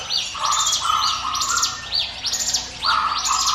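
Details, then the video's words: Bar-winged prinia song, a 'ngiwit wit' style used as a lure for other songbirds: rapid high arched chirps in quick bursts, over steady lower whistled notes that come in short level bars. "NGIWIT WIT SUARA CIBLEK GUNUNG SIAP JADIKAN PANCINGAN MU"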